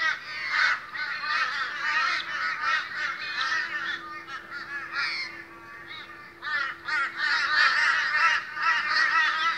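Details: Boisterous morning gathering of Australian crows, a group calling together: dense, overlapping harsh caws with broad rasping tones, continuous chorus with brief dips in loudness, many birds at once, a faint steady hum underneath.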